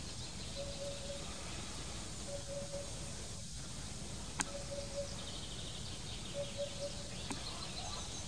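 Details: Eurasian hoopoe recorded at Drunen, Netherlands, on 4 June 2020: low, hollow three-note hoots, evenly spaced, repeated four times at intervals of about two seconds, with a steady background hiss and a couple of sharp clicks.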